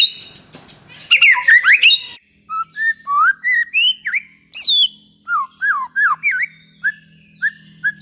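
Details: White-rumped shama singing, used to prompt other shamas into song: a harsh chattering start, then a series of clear separate whistles, slurred up and down, spaced with short pauses.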